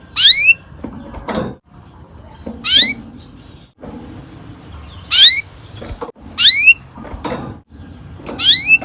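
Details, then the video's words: Domestic canary lure sound used to coax young canaries into singing: five loud, sharply rising whistled chirps with bright overtones, spaced roughly every one and a half to two seconds over a low background hum. "Kenari gacor NGEROL PANJANG cocok untuk PANCINGAN KENARI PAUD"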